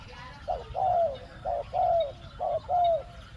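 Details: Decoy spotted dove luring wild doves, calling 'khu-ang' in two words: three clear phrases, each a short hooted note followed by a longer gently falling coo, evenly spaced about once a second.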